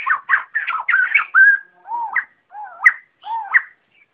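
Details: Flock call of white-crested laughingthrush, noise-free lure audio: a quick burst of chattering whistles followed by separate lower, swooping notes that each flick sharply upward, spaced roughly half a second apart.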